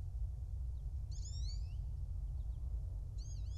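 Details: Bald eagle at a nest in Kisatchie National Forest, central Louisiana, recorded by a nest cam on 2 January 2024 at 09:14. Two bursts of high, thin, chittering whistled notes stand out above a constant deep wind rumble.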